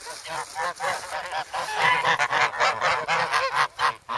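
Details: Hungry, noisy grown goslings in the snow at Sloterpark, Amsterdam, in February, pecking for bread. Rapid overlapping nasal honks, roughly two per second, rise in loudness through the recording, captured on a Sanyo-SH1.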